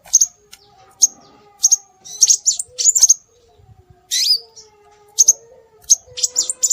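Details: Scarlet minivet calls played to attract birds: crisp high whistles in pairs and short clusters, with one downward-slurred rich phrase midway, and a faint low tonal hum.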